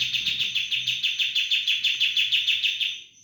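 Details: Sooty-headed bulbul in 'roll bren' style, a very noisy rolling song: one continuous, harsh, rapid trill pulsing roughly three times a second for about three seconds before fading.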